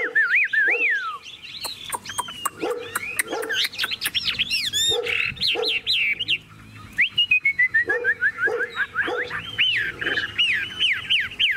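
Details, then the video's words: Tame caged Chinese hwamei, cage cover opened, singing intensely while flicking its wings: a loud, varied song of rich slurred whistles, quick trills and rapid descending note runs, with dog-like barks in the background. "Họa mi thuần điện căng đét - Xách tay lắc lồng hót đỉnh"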